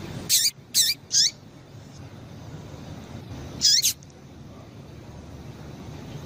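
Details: Female Double-collared Seedeater calls meant to stir males: a rapid burst of three shrill falling chips, silence, then a doubled chip, all high-pitched with faint hiss behind.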